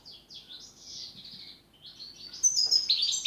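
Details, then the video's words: European goldfinch singing in the style called pletivo, 'ziju u ziju stanka': liquid twittering, tinkling phrases that slide and warble, then a louder burst of sharp, bright notes toward the end, over a faint steady background hum. "Štiglić, Grdelin, češljugar PLETIVO ZIJU U ZIJU STANKA"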